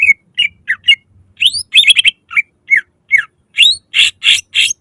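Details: Greater green leafbird singing loudly to draw song from other leafbirds, spaced slurred whistles and sharp upswept notes, ending in a series of loud harsh, buzzy bursts.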